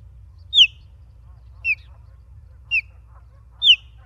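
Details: Osprey at the nest in Charlo, Montana, captured by a live camera on 28 August 2023, giving four bright, high, downslurred whistled chirps roughly once a second, the first and last loudest, over a faint steady hum.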